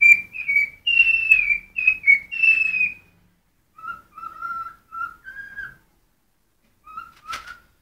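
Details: A pet cockatiel whistles a run of clear, wavering notes, quick and higher, then lower sustained whistles after a pause, ending with a sharp click; its owner says it sings when hungry.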